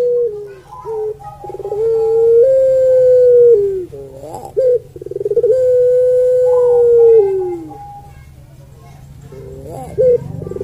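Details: Melodious puter pelung Barbary dove giving two long, sustained coos. Each begins with a short, wavering, rolled lead-in, holds a steady tone, then slides downward at the close. A faint low hum runs underneath.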